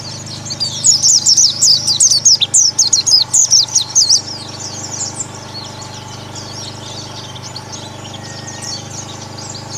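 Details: Oriental white-eyes singing together in an ombyokan chorus, a therapy recording meant to push birds into ngalas singing. Dense bursts of high, sharp, rapid chirps and twitters crowd the first four seconds, then thin to softer scattered notes.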